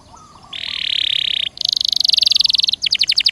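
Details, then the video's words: Canary singing, meant to coax a caged canary into song: a long buzzy trill followed by a higher, faster rattling roll and a quick pulsed ending. "Suara Burung Kenari Gacor Dor Nembak Untuk Pancingan"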